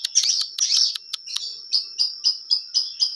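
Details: Long-tailed shrike in full, clear song: a run of high, sharp, scratchy notes giving way to evenly repeated bright chips about twice a second.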